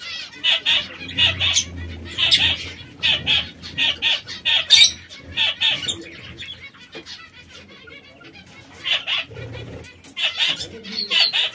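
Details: Three canaries in red, yellow and brown call in quick runs of short high chirps, about a dozen in the first half, then a quieter stretch before chirping resumes near the end.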